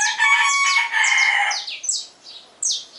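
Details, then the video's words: Saffron finch singing at dawn: a run of quick, bright chirps sweeping downward, repeated several times. A rooster's loud, harmonic crow overlaps the first half. "Canário-da-terra cantando - Canto do Canário-da-terra ao amanhecer"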